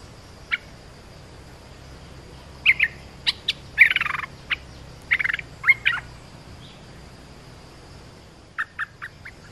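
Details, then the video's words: Olive-winged bulbul lure call: scattered bursts of bubbly, chattering notes and one harsh grating rattle, with short pauses, over a faint steady high hiss; used to train young birds and call wild birds. "Suara pikat merbah lekir gacor"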